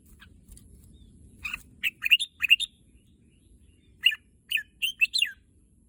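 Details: Red-whiskered bulbul kept in a cage in Thailand, described as eager to visit the singing contest field, gives quick clusters of clear, slurred whistled notes, one phrase of four notes then another of five after a short silence.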